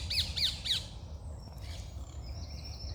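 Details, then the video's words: Morning birds: three loud, quick, arched chirps in the first second, then fainter distant notes and a repeated high thin trill, with a low steady rumble underneath. "Start your day with birds singing"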